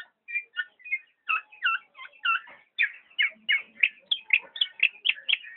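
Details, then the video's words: Black-naped oriole delivering a busy stream of clipped, slurred notes, about three to four each second, quickening and growing louder toward the end. "burung kepodang"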